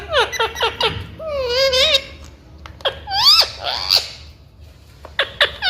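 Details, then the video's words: Pet Indian ringneck parrot, a talking bird, vocalizes while eating a red tomato indoors: quick clipped squeaky syllables, a wavering nasal drawn-out note, then rising and falling squawky phrases and a few sharp short notes. "Non -Stop Talking Parrot"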